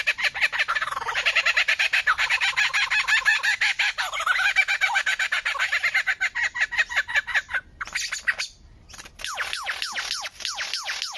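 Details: A bird said to make 25 different sounds delivers a long run of rapid, harsh chirps, about three a second, rasping and fairly even, then shifts to quicker downslurred notes after a short break.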